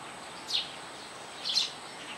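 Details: Nestling house sparrows on a roof, fed by their mother at the nest, give two brief, high, squeaky chirps about one second apart against a constant hiss and a faint high-pitched whine.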